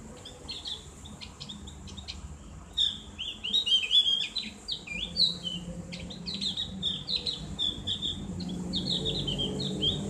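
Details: Javan grey-throated white-eye giving ngriwik song for caged-bird therapy; quiet scattered chirps give way to a busy stretch of high twittering slurs and clicks, with faint background rumble.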